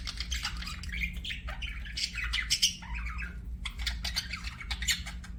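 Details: Several budgies chattering nonstop, mixing squeaky whistled chirps, rasping squawks and quick warbled twitters in an unbroken jumble, with a low hum beneath.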